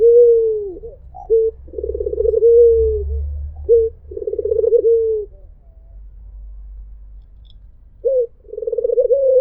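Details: Melodious mpuk jeruuu cooing from a white Barbary dove: short abrupt hooked notes alternating with low rolling, vibrating purrs, repeated about every three seconds, with a long pause before a final phrase.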